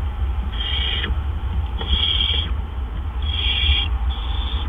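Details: Barn owl nest on the evening of April 17, 2013, as two adults deliver gophers. Three drawn-out, raspy hisses of about half a second are spaced over a second apart against a constant low hum.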